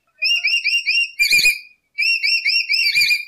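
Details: Lory song played as bait for bird trapping: runs of smooth, undulating whistles broken by a brief, harsher burst in the middle, then the flowing whistles resume.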